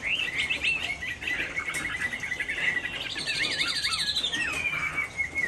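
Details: Chinese hwamei in Hai Phong, Vietnam, singing on a rainy afternoon. Fast chattering notes give way to a sustained whistle, then rolling, wavering warbles repeated several times, ending in a long falling note.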